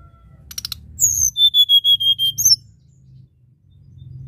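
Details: Tledekan gunung singing in the nyuling (flute-like) style: a burst of high chirps, then about eight short, clear whistled notes at an even pitch in quick succession, ending in a sharp high flourish. A low background hum runs throughout.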